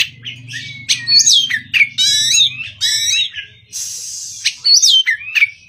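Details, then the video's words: Untrained Oriental magpie-robin's morning song: sweet slurred whistles mixed with scratchy, buzzing bursts and sharp clicks in quick phrases, with a faint low drone in the first half. "Kacer Bahan Absen Pagi"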